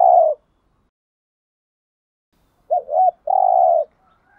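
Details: Spotted dove decoy cooing meant to lure wild doves: a long low coo cut at the start, then two short looped notes and a steady drawn-out coo after a silent pause.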